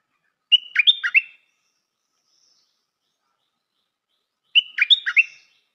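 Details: Stripe-throated bulbul, a new decoy bird, singing: a short bubbly phrase of quick warbled notes opening on a level whistle, given twice about four seconds apart in clean silence.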